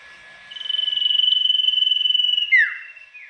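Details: Loud tame sirtu sings a challenge meant to draw replies from rival birds: a long, high, rapidly pulsed trill lasting about two seconds, ending in a quick descending whistled slur.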